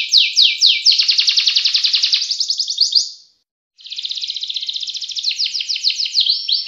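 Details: Canary performing ngerek ngacor song: a strong, rapidly pulsing trill lasting about three seconds, a short pause, then another long, even, high rolling trill with swept notes.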